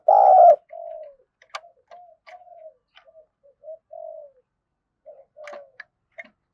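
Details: Decoy spotted dove luring wild doves. One loud, throaty coo opens, followed by a series of soft, low, falling coos mixed with scattered sharp clicks and taps.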